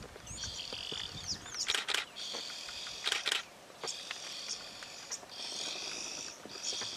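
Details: Several oxpeckers on a giraffe give high, harsh hissing and rasping calls in overlapping bursts, with a few sharper crackling notes mixed in.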